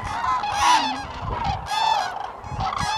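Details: Common cranes at Lake Hornborga, Sweden, in April 2017: a flock calling together, loud bugling trumpeted notes with rich overtones overlapping in a continuous dense chorus.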